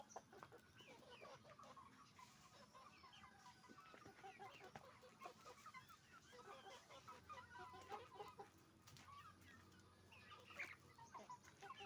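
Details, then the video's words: Many roosters and hens calling together on a chicken farm, with scattered overlapping clucks and brief squawks through a continuous hum of farm background noise. "Moment of the sound of a chicken farm, roosters and hens making noise"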